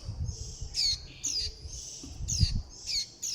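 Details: Fledgling warbling white-eyes begging for food and calling the flock: high descending squeaky notes given in pairs, about a dozen across a few seconds, over low rumbling background noise.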